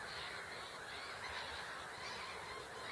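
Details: Several great crested grebes on Hubertus 2 pond in Katowice, Poland, on 26 March 2021, giving harsh, nasal, braying calls that run on without a break, rasping and honk-like in the mid to upper range.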